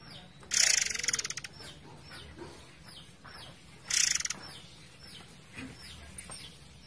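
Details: Forktail over flowing water: two dense, scratchy rattles about three and a half seconds apart, the first longer. Faint chirps and soft water noise run behind.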